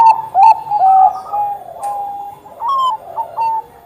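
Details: Lively Bangkok zebra dove singing as a lure for others: a few loud short coos, then drawn-out level mellow notes and brief rising phrases, with softer overlapping cooing beneath.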